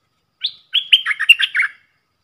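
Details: ["Red-whiskered bulbul, a caged decoy bird singing a 'dok taeng' style rapid three-phrase song used to teach young birds and lure wild ones: a short high whistle, a pause, then a quick run of warbled, bubbling notes."]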